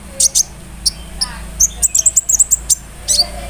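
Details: Lure song of a sunbird to make others answer: thin, very high chirps, a brief run of quick rising ticks near the middle, and isolated sharp notes, over a low steady hum.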